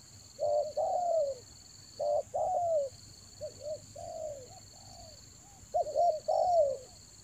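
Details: Luring call of a spotted dove in the rainy season, Toba: paired short coos then drawn-out descending notes, with a quieter middle section, all over a thin steady electronic tone.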